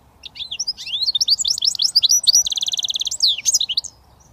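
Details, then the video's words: Goldfinch mule, a British finch hybrid, delivering its switty song: quick tumbling twittered notes sweeping up and down, broken midway by a fast, even buzzing trill, then more rising chirps. "Goldfinch mule switty 100% British finch"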